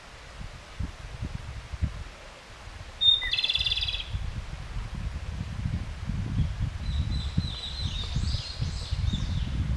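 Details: One clear Japanese robin phrase, a high note followed by a quick pulsed rattle, then fainter softer trilled notes from a distance, all over steady low rumbling noise.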